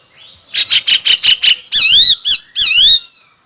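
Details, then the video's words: A Chinese hwamei in a singing match: six quick, loud, evenly spaced notes, then three long, rich wavering whistles swooping up and down. "Coob quaj sib thib(Hoạ mi hót đấu)"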